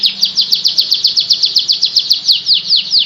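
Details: Singing canary repeating quick downward-slurred high notes at a rapid, steady pace, roughly six per second, forming a rolling trill that slows slightly near the end.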